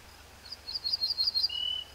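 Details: Ortolan Bunting singing: a quick run of about seven ringing, high, evenly spaced notes, then a single lower, longer drawn-out note closing the phrase; a steady high insect-like hum runs underneath.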